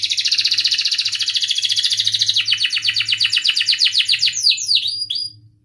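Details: Canary used to prompt other canaries to sing, giving a long rapid trill that slows into distinct repeated notes, then a few sharp sweeping whistles before fading.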